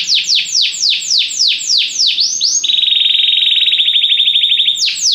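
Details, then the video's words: Belgian canary singing during song training: a series of loud, high, sweeping downward notes repeated about three times a second, then a long, fast, even rolling trill, ending with another sweeping note. "canário belga cantando mais espectacular! treinamento canario belga"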